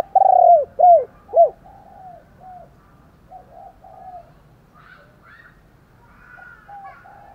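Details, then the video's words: Spotted dove cooing in the morning to provoke fighting: three loud low hooting coos in quick succession, then softer repeated coos trailing off, with faint higher bird notes behind. "cu gáy thúc đấu, và gáy gọi buổi sáng"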